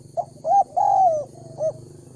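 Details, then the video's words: Cooing of a spotted dove, played as a lure to attract wild doves: a brief soft note, a clipped coo, then a long, sliding, falling coo and a final shorter coo, all mid-pitched and mellow. "Chim cu gáy chiêu kích mồi tập bổi nhanh nổi hiệu quả"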